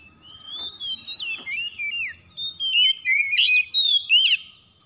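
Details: An Oriental magpie-robin in the morning gives a continuous string of fluid, warbling whistles that swoop between high and lower pitches, ending in sharper, brighter notes, with a faint steady whine behind.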